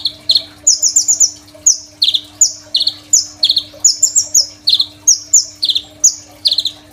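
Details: Energetic Crimson sunbird song used as a master for teaching other songbirds: continuous high-pitched twittering, strings of bright chirps alternating with lower slurred notes, repeated without break throughout.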